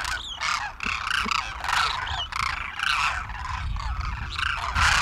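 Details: Large winter flock of demoiselle cranes feeding at Khichan village, Rajasthan, India: loud, rolling, trumpet-like calls from many birds overlap into a continuous, swelling clamour.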